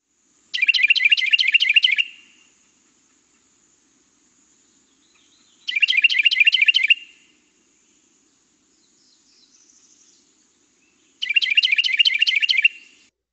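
A Carolina wren gives three loud, rolling bursts of quick ringing 'tea-kettle' phrases, each about a second and a half long and spaced about five seconds apart, with near silence between.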